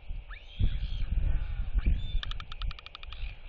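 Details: Young royal albatross displaying at chicks, with two rising whistled sweeps and a held note, then a fast rattle of bill clacks from neighbouring birds, all under strong wind noise.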